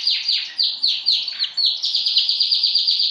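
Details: Mating song of a canary: a rapid, high trill of repeated downward-sweeping notes, roughly four to five per second, continuing unbroken and slightly quickening toward the end.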